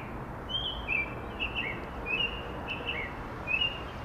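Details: American robin singing in spring from a tree outside a public library in Chicago, heard over urban traffic noise; a series of short clear whistled phrases around 2–3k, each slightly rising or falling, with a steady low traffic rumble beneath.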